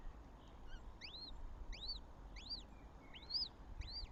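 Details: Northern goshawk at a nest with chicks in Tartu, Estonia, on 7 May 2025: thin, high chirps that arch up then fall, about six in four seconds, over a steady low rumble.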